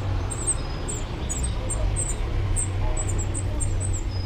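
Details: Spotted flycatcher at a nest wedged among screws, Dombóvár, Hungary, 8 June 2017, taken from a window hide: a run of sharp, high-pitched chips, roughly two per second, above a constant low rumble.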